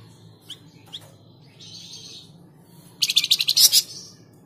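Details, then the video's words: Flamboyan bird singing, a recording used to prompt cage birds to sing: a fast burst of about eight sharp, high, rattling notes near the end, after a few faint thin chirps and a low steady hum. "Pancingan Burung Flamboyan"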